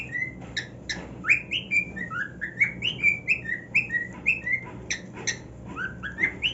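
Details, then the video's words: Happy male cockatiel on a new nest: a fast series of bright whistled notes that step up and down, broken by clicking sounds, steady throughout. "Cockatiel Singing on his New NEST"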